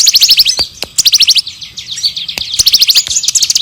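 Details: Busy bar-winged prinia song meant as training material for other songbirds: quick strings of piercing chirps in short packets, broken by brief pauses and a few clicks.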